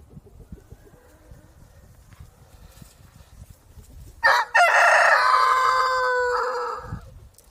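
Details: Low rumbling background noise for about four seconds, then a rooster bursts into a loud crow. A clipped opening leads into a long, sustained note of nearly three seconds.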